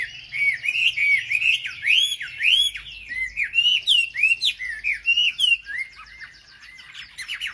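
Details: Wambi bird lure song for provoking other wambi: a loud series of arched whistled notes, each rising then dropping, given in quick succession, then quieter chirps and a final burst.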